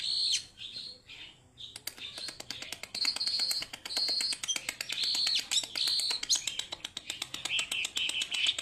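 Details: Tame caged Siberian blue robin singing actively: high thin whistled phrases repeated in short bursts, overlaid by constant sharp ticking and tapping clicks throughout.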